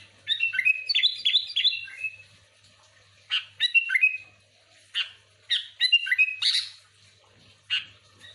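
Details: Sooty-headed bulbul singing continuously, used to lure other bulbuls: a long rapid series of bubbling whistled notes sliding down, then shorter bursts and single chirps every second or so.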